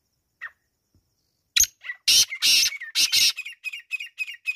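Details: Black francolin calling: a few harsh, grating phrases, then a fast run of shorter, clipped, scratchy notes, all loud and close with a quiet background.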